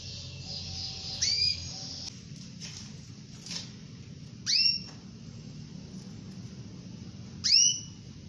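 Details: Female domestic canary calling the male, used to train canaries that will not sing: three short, high, upswept chirps spaced a few seconds apart over a steady low hum and hiss.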